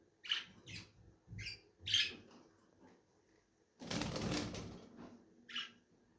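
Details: Lovebirds chirping in short shrill, rasping notes spaced under a second apart, then a burst of fluttering wing noise, followed by one more sharp chirp.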